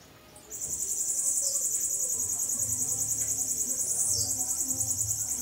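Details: A Bananaquit, kept as a pet, draws out its song in a very high, thin, buzzy trill, rapidly pulsed and held for about five seconds, over a faint low hum.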